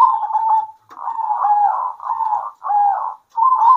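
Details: Local zebra doves calling to each other at midday: a stuttering opening followed by rounded, swelling coo phrases about half a second long, repeated with short breaks.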